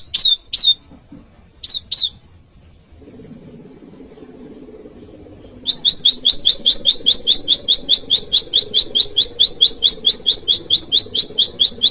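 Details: Prenjak lumut (Bar-winged prinia) calling a rival: a few isolated high notes, a pause over low background hum, then a long steady train of over twenty sharp, rhythmic chips.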